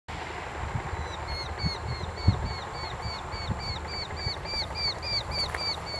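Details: Eurasian hobby giving a long, even series of sharp, high, slightly down-curving notes, repeated about four times a second for several seconds, over soft background hiss and occasional low thumps.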